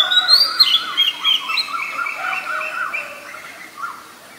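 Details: Oriental magpie-robin, a very common resident in Ubon Ratchathani, Thailand, recorded 7 January 2021 with a Nikon P1000; rapid chirpy, dipping notes in a busy jumble that fades toward the end.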